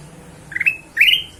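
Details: Ruby-throated bulbul used as a lure to make other birds sing: two short rising whistled notes, each sweeping upward and leveling off, the second louder and longer, over a quiet background.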